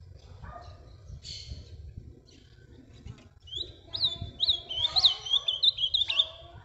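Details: Azulão, the ultramarine grosbeak, of pareia singing style, kept with its six-month-old son: muffled background noise and voice-like sounds give way to a bright burst of looping, up-and-down whistled notes.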